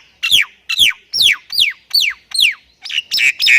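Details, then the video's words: Javan myna of the Thailand type repeating one bright whistled note that slides steeply downward, about seven times at a steady pace, then finishing with two rougher chirps. "MERINDING DENGAR OCEHAN BURUNG JALAK INI || Jalak Kebo Thailand Gacor Full Isian"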